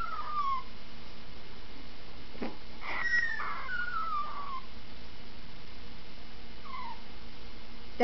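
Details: A two-year-old male talking cockatiel gives short, clear whistled phrases that slide downward, with quiet gaps between them.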